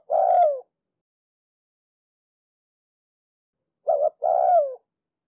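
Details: Spotted dove, a decoy bird from Ninh Thuận, Vietnam, cooing to stimulate other doves to coo: the tail of one phrase, then a short double note and a long falling coo after a pause, in a quiet setting.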